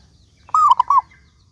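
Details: A single song phrase from a local zebra dove, a recording meant to lure other doves into singing: a slurred, wavering coo that breaks into two rounded, bubbling notes, with the background otherwise hushed.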